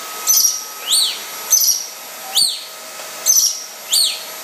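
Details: A yellow-breasted lorikeet fighting a running vacuum cleaner gives shrill, scratchy screeches in quick bursts, about one every half second, over the vacuum's steady whine.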